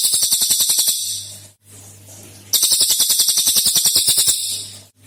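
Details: Cililin lure recording: quick buzzy trills of closely spaced notes, one short and one nearly two seconds long, separated by a pause with a steady low hum.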